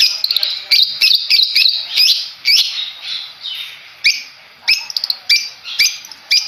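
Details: Madura long-tailed shrike, a contest bird, calling loudly in a clean recording: sharp, squeaky chirps in quick bursts, some run together in rapid strings, others spaced about half a second apart.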